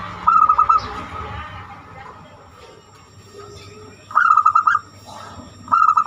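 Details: Zebra dove giving banyumili-style song, used to lure other birds into singing; quick stuttered coo phrases open and close the stretch, separated by a quieter gap with a low background hum.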